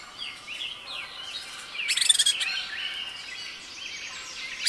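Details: Red-eyed vireo singing: short slurred whistled phrases, rising and falling, given one after another, with a loud rapid chattering burst from another bird in the middle and faint background noise.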